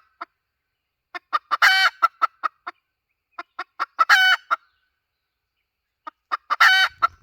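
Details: Lure call of a hen: spaced clucks that build to loud, ragged, rising squawks, three such bursts in quick succession, with a clean, quiet background.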